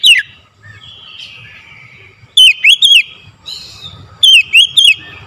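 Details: Oriental magpie-robin singing in the morning: loud, clear whistled phrases, each a quick group of three sharp rising-falling notes, about two seconds apart, with softer drawn-out whistles between them.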